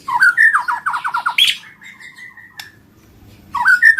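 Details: White-rumped shama in full song: a quick descending series of whistled notes, a sharp high note, and a long level whistle, then a fresh phrase of rich slurred notes. Soft indoor-like background.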